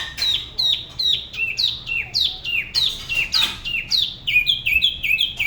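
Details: Spot-throated babbler singing solo near the La Ba river in Da Lat, Vietnam, in an unusual regional style: rapid repeated downslurred whistles, almost three per second, ending in a run of short rising-and-falling notes.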